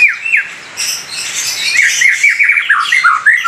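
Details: White-rumped shama singing a loud fighter-style song: rapid, sharp, downslurred notes repeated several times a second, mixed with harsh, buzzy bursts high above.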